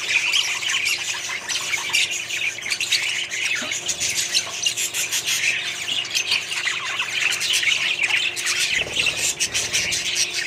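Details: Budgie colony in a small setup, many birds squawking and warbling at once in a steady high chatter, with a brief low rumble near the end.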